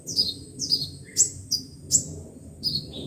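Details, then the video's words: Five-colour and seven-colour sunbirds, played from a speaker to attract wild birds into traps: a series of high, thin, falling whistled notes with sharp accented chips, roughly two to three per second, over faint low background hum. "Tiếng chim hút mật 5 màu và 7 màu dùng để bẩy loa"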